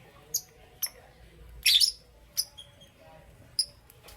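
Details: Lovebirds, Parblue Euwing Green Opaline and Green Opaline, chirping in the morning: short sharp high chirps every half second or so, with one louder harsh burst in the middle, over a quiet background.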